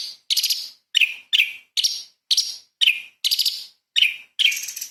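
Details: Light-vented bulbul heard in 'tembakan istimewa' training song; nine short, buzzy high bursts, some pulsed and some downslurred, repeating a little over twice a second.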